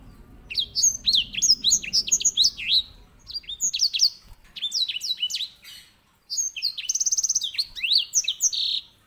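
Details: White-rumped seedeater, used as a master bird for canary song training; lively high twittering of rising and falling slurred notes, with a rapid rattling trill near the end.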